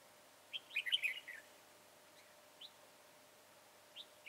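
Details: Red-whiskered bulbul song during decoy trapping on 22 January 2018: a brief tumbling burst of clear warbled notes, then two isolated rising whistles after long pauses, with faint steady background noise.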